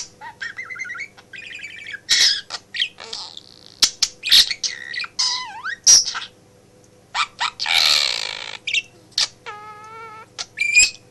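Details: Indoor pet budgerigar, male, chattering beside its owner at a home office desk; buzzy bursts, sliding whistled sweeps and a rippling tonal trill near the end, with brief silences between phrases.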